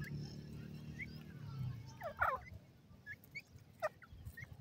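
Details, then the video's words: A grey francolin (teetar) in forest, with chicks, calling to draw in a female: two short bursts of harsh, rattling notes with thin, rising chirps scattered between, over a low rumble at the start. "big gora teetar big awaz"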